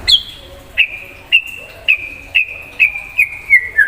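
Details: White-rumped shama in vigorous gacor song, singing to provoke an untrained shama. It gives a series of clear whistled notes, each with a sharp onset, repeated about every half second. The notes slide slightly lower toward the end.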